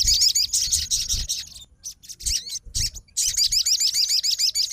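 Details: Fighter sogon reacting straight away to a rival's song, calling out its opponent with dense, rapid, high rippling trills, a short broken pause, then another fast run of repeated chirps.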